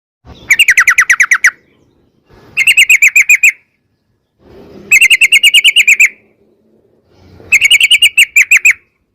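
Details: Sooty-headed bulbul in a long rapid-fire song style, used as a lure to make other bulbuls sing: four bursts of fast, evenly spaced downslurred notes, each about a second long, separated by short pauses.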